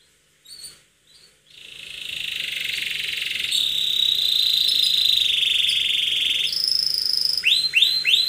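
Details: Canary singing in an aggressive, attacking style: a few short chirps, then a long loud buzzy trill held steady, stepping up in pitch near the end, followed by rapid rising whistled notes.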